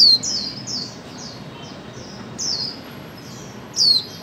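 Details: Female white-eye call meant to prompt mute birds to sing. A loud, piercing downward-sliding note opens, softer high chirps repeat throughout, and two more strong falling calls follow later, with light background hiss.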